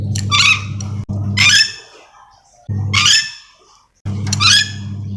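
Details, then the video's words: Yellow-and-green lorikeet, a Sulawesi endemic parrot, calling with four coarse, noisy screeches about a second and a half apart, separated by bursts of low hum. "Suara asli nuri dora memanggil"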